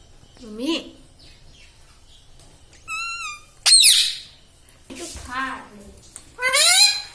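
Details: Pet green ringneck parrot kept indoors, said to talk and say mummy, papa and radhe radhe; a few separate wavering, harmonic speech-like calls, some sliding up and others falling, between quiet gaps.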